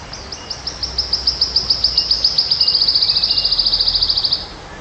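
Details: A wild wood warbler delivers its full song: high separate ticking notes that accelerate steadily into a rapid, shivering trill lasting over four seconds, ending sharply, with soft background noise.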